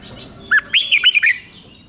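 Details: Red-whiskered bulbul from Thailand, a caged song bird, delivering a five-syllable song with doubled notes for young birds to learn; a compact run of about five clear, slurred whistled notes, rising and falling, packed into under a second.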